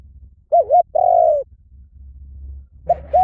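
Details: A spotted dove utters a soft hooting phrase, a bending double note then a drawn-out coo that sinks slightly, and starts the phrase again at the end, with a faint low hum behind.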